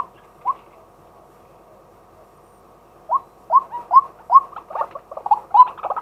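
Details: Male white-breasted waterhen calling during the day, recorded live with a set camera: one short note, a pause of about two and a half seconds, then a quickening run of short rising nasal notes that crowd and overlap toward the end.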